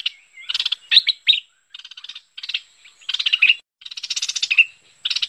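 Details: Merbah lekir bulbul calls for luring: harsh, buzzy, rattled bursts mixed with short, sharp chirps, repeated in groups with brief pauses.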